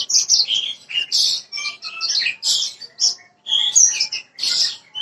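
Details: Bushlark song for prompting a bird to start singing: a busy run of high chirps, trills and short whistled notes in quick bursts with brief gaps.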